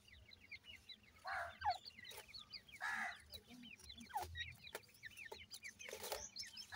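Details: Francolin chicks give a constant stream of thin, high, rising peeps in quick succession, overlapping one another, broken by several louder, coarser clucking bursts.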